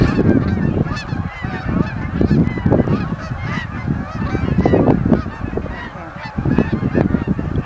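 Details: Canada geese flying in at Oak Hammock Marsh and Fort Whyte, a large flock honking continuously in overlapping nasal calls, with heavy low rumbling wind noise beneath.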